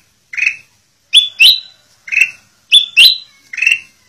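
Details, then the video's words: Tutor song of a black-crested bulbul for captive birds, rich whistles alternating a fuller lower note with a ringing rising double note, repeated in a clean, regular pattern. "Kutilang Emas Buat Masteran"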